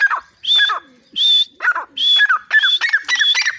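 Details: At the door of its cage in Pakistan, a grey francolin gives repeated shrill high notes mixed with busy, lower harsh chattering calls that crowd together toward the end.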